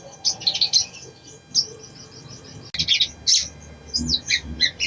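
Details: Lure song of a spiderhunter, used to prompt a quiet bird to sing. It has clusters of thin, sharp chirps and short trills, then a few falling whistled notes and paired tweets toward the end.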